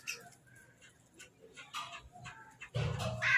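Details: Crows squabbling while eating food. Scattered soft chirps and faint calls build to a sudden loud, raspy caw near the end, backed by a low rumble.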